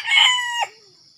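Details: Red junglefowl in Sumatra, heard while wild junglefowl are being lured with a decoy: the end of a crow, a loud harsh note that holds steady and then drops sharply into a faint falling tail, with insects humming in the background.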